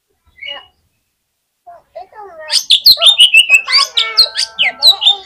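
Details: Oriental magpie-robin, a fighter bird on the hanging poles at a song contest: a loud run of varied whistled and harsh chattering notes, rapidly repeated, after a few soft opening phrases.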